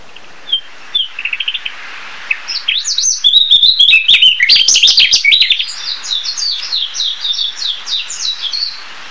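Narcissus flycatcher giving a run of high, rapid chirps and twittering trills, busy and jumbled in the middle, then a steadier series of bright notes.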